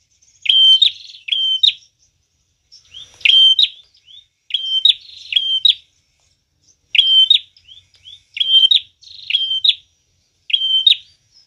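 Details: Lure recording of a prinia in full song: bursts of two or three shrill whistled notes, each ending in a quick upward snap, separated by short silent gaps across the passage, with faint high chips in between.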